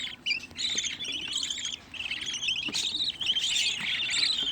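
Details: Home-raised budgerigar chicks, sixteen together in one spot: a busy chorus of harsh, rasping chirps and short squeaky notes, overlapping with almost no pause, with one brief lull near the middle.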